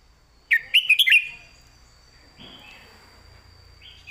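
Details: Red-whiskered bulbul in a cage, clear southern-style master song for training: one loud burst of rapid whistled notes, then quiet soft warbles under a steady high electronic whine.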